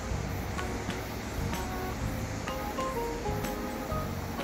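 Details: Music plays throughout with faint speech and no animal sounds.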